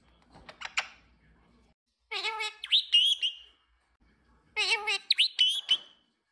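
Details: Pet parrot in the evening making speech-like harmonic utterances mixed with sharp chirps and rising whistles, delivered in two bursts separated by a pause, with a few faint clicks beforehand.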